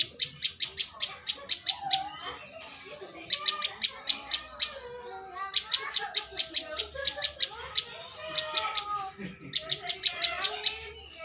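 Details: Champion bar-winged prinia singing: rapid bursts of sharp, high clicking notes in fast trains, about a dozen notes per burst, repeated four times, with softer chattering and lower warbled sounds underneath.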